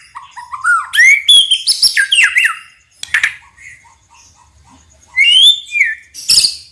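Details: White-rumped shama, a loud forest song used to provoke other birds into responding: rich whistled phrases sliding between low and high notes, harsh sharp bursts, a pause of about two seconds, then more whistles and a crackling note.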